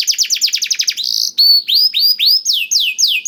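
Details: Canary with isian blackthroat song used as a singing lure: a rapid burst of descending notes, a buzzy hold, then slower, separate falling whistles about three per second.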